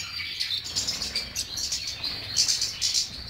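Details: European goldfinch song: dense, fast twittering and tinkling notes high in pitch, with buzzy trills and liquid chirps running continuously, some louder bursts near the end.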